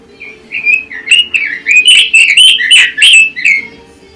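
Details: Red-billed leiothrix (Pekin robin) song, a long recording meant for tutoring and competition training: fast, rich warbled phrases sliding around a middle-high pitch, notes tumbling several per second with sharp high overtones, steady faint low hum beneath.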